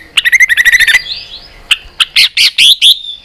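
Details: White-rumped shama in fighting song with tail-flapping clicks: a rapid string of about ten buzzy chirps, a short pause, then a few separate harsh, loud notes.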